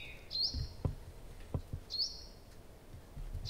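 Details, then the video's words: Nightingale singing at night in Abramtsevo in early June, recorded from 23:00 on 6 June 2021: a high whistled note with a short upswing, given twice about one and a half seconds apart, over low rumbling background thumps. "Соловей поёт всю ночь"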